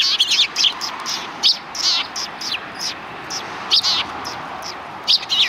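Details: Sparrows in a group on a street by a Tenmangu shrine, 13 December 2019: clusters of bright, high chirps come in scattered bursts over steady background hiss.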